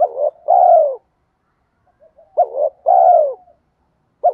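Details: Spotted dove cooing in a style used to lure wild doves. Two full hoarse phrases are heard, each a brief throaty opener followed by a drawn-out, burred, gently descending coo. A soft murmur comes between them, and the clip ends on the start of a third.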